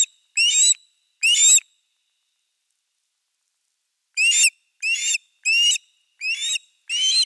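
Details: Wild ospreys at a Finnish camera nest with a fish, 4 August 2024: two sharp whistled upslurred calls, a pause of about two and a half seconds, then a run of five more at a steady pace.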